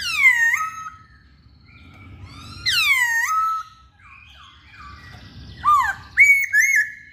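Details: Masked laughingthrush in active song: rich harmonic whistles that swoop downward twice, softer slurred notes between them, then a cluster of sharp, bent whistles at the close.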